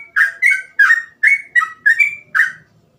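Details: Sooty-headed bulbul (trucukan) singing in the energetic 'gacor ropel' style, with phrases meant to be easy to imitate: seven loud, bubbly, whistled notes, each slurring down or rising briefly, spaced about every half second, no other sounds.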